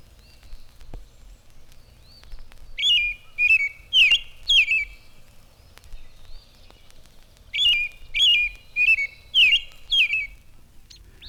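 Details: American Robin in spring sings loud, clear caroling phrases, 'cheer up, cheerily', in two bursts of four or five, while a phoebe sings faintly in the background.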